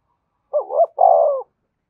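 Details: Spotted dove calling to lure wild doves, which reportedly answer and arrive fast. A single phrase: a quick wavering double note, a brief break, then a long even coo lasting about half a second.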